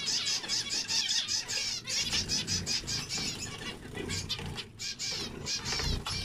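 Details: Zebra finches singing together, a busy mix of high nasal toots, buzzy trills and chatter, with rustling and low background rumble beneath.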